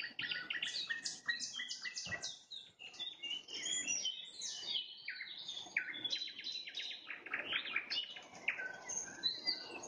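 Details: Nightingale trilling at sunset in a busy, unbroken flow of fast, varied notes, sharp chirps and rapid stuttering runs, shifting pitch constantly over ten seconds.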